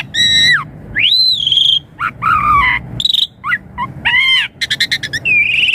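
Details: Varied Asian pied starling song, played to prompt young birds to reply: loud harmonic whistles arching up and sliding down, a burst of quick clicking notes, then a rising drawn-out whistle.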